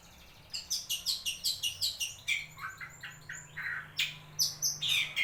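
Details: Wewah bird recording used to coax lazy shrikes into singing: a fast run of sharp high chirps, then varied lower buzzy notes, over a faint low hum.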